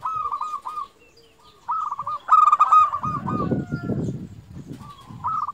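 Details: Local zebra dove repeats soft rippling coos, then a louder bright phrase, while a burst of low rumbling noise partly covers the song near the middle.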